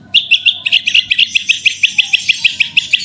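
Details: Horsfield's bush lark in vigorous 'super roll tembak' singing, used to spur other larks into song: a rapid rolling series of short chirped notes, about six per second, steady and even.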